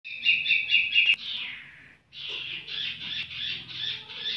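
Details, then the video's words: Tiểu mi bird singing casually: a bright high phrase of four quick repeated notes, then after a short gap a run of rapid, rasping high chatter pulsing steadily. "chim tiểu mi chơi lai rai"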